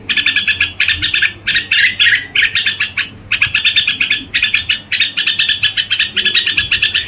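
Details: Red-whiskered bulbul singing in the crooning style, given as a very fine performance: dense bursts of short, bright chirping notes run together in quick strings, broken by brief pauses, over a faint low hum.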